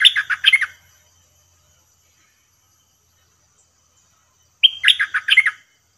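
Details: A bulbul caged as a trapping lure repeats its short whistled-and-warbled phrase twice, about four seconds apart, each a sharp opening note and a rapid run of falling notes.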